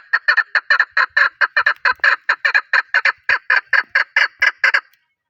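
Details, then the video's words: Chukar partridge from Pakistan calling a brisk series of about twenty-four harsh chuk notes, slightly uneven in spacing, ending in silence near the five-second mark. "Chokor Partridge voice | Chokor ki awaz"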